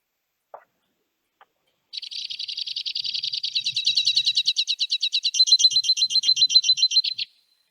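White-winged Crossbill song: a long, fast series of dry, buzzy trills, rattling along at about four notes per second with a mechanical, fax-machine quality.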